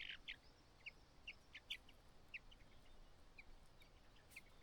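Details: White-browed laughingthrush mother calling the lone nestling out on its last day in the nest; short sharp chips repeated every half second or so, with a few brief louder notes.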